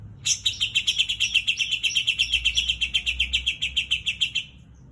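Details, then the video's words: Greater green leafbird singing a white-eye-style song: a fast series of high, sharp chirps repeated about twice per second, each note bright and buzzy, ending abruptly after four seconds. "Cucak ijo isian kapas tembak"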